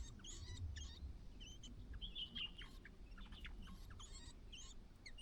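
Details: White-browed laughingthrush mother outside the nest calling her only chick to leave on its fledging day; short scattered chirps and thin upslurred notes come in quick irregular bursts over low rumbling background noise.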